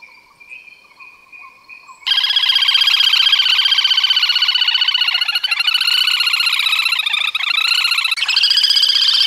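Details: Little grebe feeding its chicks; after a soft, thin whistle, a loud, rapid, buzzy trill of harmonic pulses runs steadily for about seven seconds with slight pitch wavers and short breaks.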